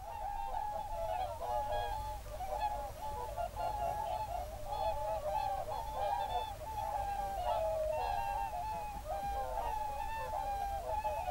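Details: Whooper swans at an evening roost in a national park on 7 February 2023, with geese also present: a dense chorus of overlapping nasal, bugling honks, steady and continuous with no pauses.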